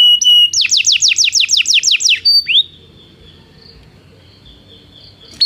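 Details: Belgian canary singing, used to train canaries that do not sing: a steady whistled note, then a fast series of about eight sharply falling sweeps, a bright upslurred note, and near silence with a faint high tone.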